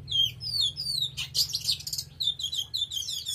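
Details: Oriental magpie-robin singing intensely: sweet descending whistles open the phrase, followed by a dense, scratchy burst of rapid notes and further tumbling, warbled whistles.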